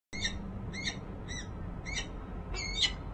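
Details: Resident female peregrine falcon on a nest-ledge camera atop the Rachel Carson building, Harrisburg, Pennsylvania, January 19, 2013, possibly calling to an unseen male: harsh, ringing notes repeated about every half second over low rumbling background noise.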